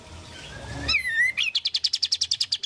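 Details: Singing oriental white-eye: one drawn-out whistle sweeps downward, then a rapid rattle of high repeated notes, roughly twelve in quick succession, fills the rest.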